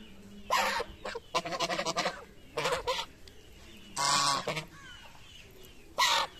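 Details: Geese honking while feeding in the morning: several loud, harsh nasal honks in short bursts, some single and some in quick clusters, separated by quiet gaps with faint background hum.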